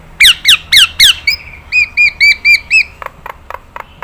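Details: Nias hill myna, training recording for other birds to copy: four loud falling whistles, then five clear arched whistled notes at an even pace, ending in quiet clicks.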